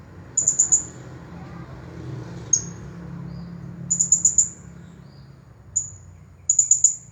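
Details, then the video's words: Blue-crowned hanging parrot, a champion bird, singing nonstop 'Nagih Hutang' style: crisp, high-pitched notes in fast bursts of four or five, separated by quiet gaps with single sharp notes, over low hum. "Serindit Juara Nonstop Bunyi Gaya Nagih Hutang"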